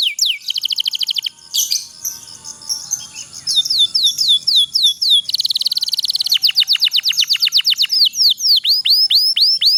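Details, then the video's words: Canary of the kenari pocong type singing a long rolling song, played as a tutor recording to prompt lazy canaries to sing: rapid high trills of fast repeated notes, sweeping chirps and buzzy rolls in dense bursts, with no other sounds. "suara kenari pocong ngerol panjang"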